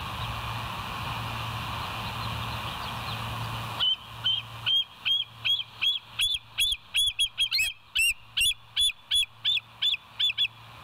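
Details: Bald eagle calling on a West End nature cam at 06:21 on 7 July 2023: after hiss and faint hum, around twenty shrill, piping whistled notes pour out rapidly, some doubled or squealing, in an excited chattering series.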